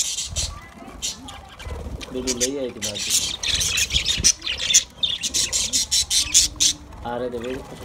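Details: Budgies talking to one another: rapid scratchy chirps and squawks packed closely together, interrupted by a few lower, wavering harmonic notes, with the chatter continuing almost without pause.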